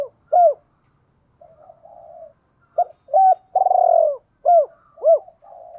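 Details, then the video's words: Spotted dove kept as a decoy, cooing 'gọi hai hậu'. A single arched note precedes soft murmurs, then a phrase of hooked coos, a long vibrating rolled coo and two arched notes, ending in quiet mumbling. "Chim Cu Mồi cu moi chuan gáy gọi hai hậu mới nhất"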